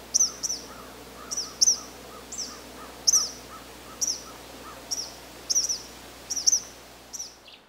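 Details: Repeated shrill, buzzy zeet notes from an Eastern kingbird in Canada, sometimes paired, coming about every second over a faint hiss, with soft lower chirps underneath.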